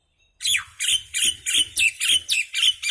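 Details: Common myna, a little bird making noise: a steady series of nine or ten raucous, downward-sliding squawks, rapidly repeated about three per second, harsh and rasping throughout.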